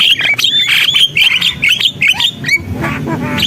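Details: Javan myna song of loud, grating squawks and chattering notes in rapid succession, fading into softer rasps toward the end.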